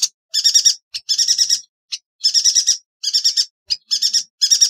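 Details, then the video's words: Masteran training song of a yuhina: high, harsh, rattling phrases of quickly repeated notes, each roughly half a second long, come in steady succession with short silent gaps and brief single chips between them. "Burung Yuhina - Tembakannya Nyelekittt Tajamm Terpercayaa...!!"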